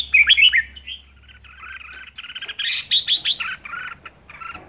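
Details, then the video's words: Highly energetic Red-whiskered bulbul kept at home pours out 'ché' style song: rapid bright whistles at the start, a softer chattering stretch, then a loud cluster of sharp notes and closing warbles. "Chào mào hót hay | chào mào ché hay | chào mào siêu ché"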